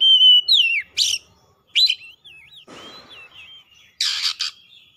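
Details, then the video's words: Oriental magpie-robin heating up and singing its learned repertoire. A long level whistle slides down, then a buzzy burst and a rising whistle come before a rolling wavy whistled phrase over a soft rustle. It ends with a broad harsh rasp. "KACER GACOR LANGSUNG MEMANAS NAIK EMOSI BONGKAR ISIAN"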